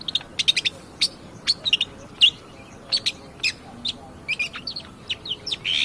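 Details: Long-tailed shrike lure song to provoke other birds, quick series of thin high clicks and short whistles, some grouped in fast triplets, ending in a harsher buzzy burst.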